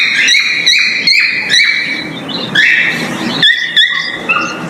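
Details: During breeding, a male cockatiel whistles its mating call: a short burst of clear, ringing notes that slide and jump between pitches, with faint low rustling underneath.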